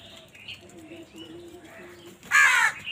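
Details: Crow in a village giving one loud, harsh caw near the end, preceded by quieter background bird chatter and faint whistled notes.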